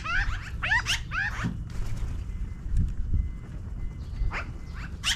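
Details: Magpies in a tree, flying down from it, give a quick series of loud, rasping chatter notes at the start, then quieter scattered calls and a final burst, all over strong low wind noise.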